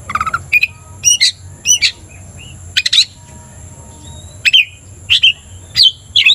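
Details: Oriental magpie-robin, a 'gacor' singer used to provoke other magpie-robins: spaced harsh chirps and short squawky notes every half second to second, with quiet gaps and a constant faint high tone.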